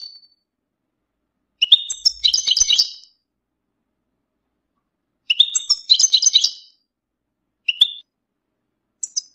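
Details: European goldfinch readiness and mating calls (bitbita) used to get males singing and out of moult: chattering, tinkling twitter phrases about every four seconds, with odd single chirps between them.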